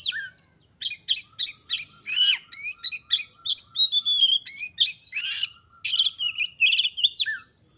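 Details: Oriental magpie-robin in full excited song, meant to spur other magpie-robins to sing. A long, loud, unbroken sequence of quick varied whistles, chips and slurred phrases, about three notes a second, closing with a warbled trill and a falling note.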